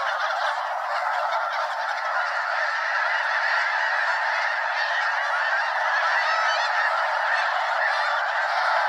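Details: Mega-flock of more than 200 Snow Geese circling Limestone Bay at Wheeler National Wildlife Refuge, Alabama; unbroken clamour of yelping, honking calls overlapping rapidly with no pause.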